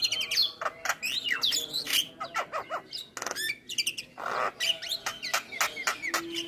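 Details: Full isian song of a Javan myna: rapid varied high whistles, squeaky slurs and harsh clicks strung together continuously, with a brief rasping burst near the middle and a short low tone at the end.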